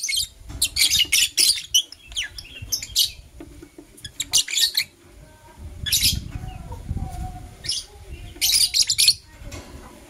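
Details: Lovebirds, Blue Opaline and Parblue Euwing Opaline, in the morning giving scattered high, scratchy chirps in short bursts, over a steady low rumble and rustling background noise.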